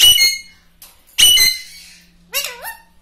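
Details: Talking pet parrot indoors, giving two loud harsh squawks followed by a short speech-like phrase with bending, gliding tones. A faint steady hum runs underneath.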